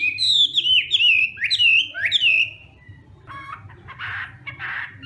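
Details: Hwamei in morning voice training, fighting song: four or five strong, clear whistled phrases that rise and slur down, then quieter harsh, buzzy chattering notes after a short pause.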